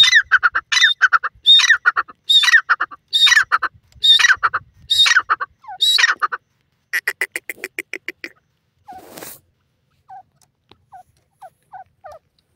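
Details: Grey francolin, known locally as Dakhni teetar, repeating loud grating multi-syllable phrases about once a second for six seconds, then a faster stuttering series of clipped notes, fading into a few soft, scattered low chirps.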